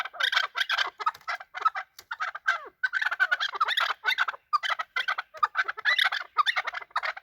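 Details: Chakor, or chukar partridge, calling while fighting, a hunter bird; long, noisy runs of overlapping raspy chuck notes broken by short gaps.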